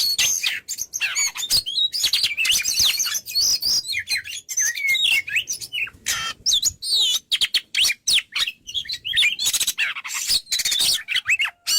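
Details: Dense, continuous chattering and whistling from a kacer (Oriental magpie-robin) in gacor style, notes crowded together with scratchy trills and quick slurs, barely pausing throughout.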